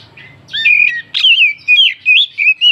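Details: Oriental magpie-robin, or kacer, giving a lure song to excite other birds: a short, loud series of sweet whistled phrases, wavering and sliding, in about six quick bursts.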